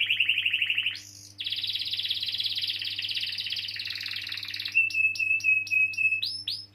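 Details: Caged canary in full, long rolling song, played as a lure to get young or silent canaries singing: a high buzzy trill, a brief rising note, then a long fast rattling roll ending in clipped sliding whistles, over a faint steady hum.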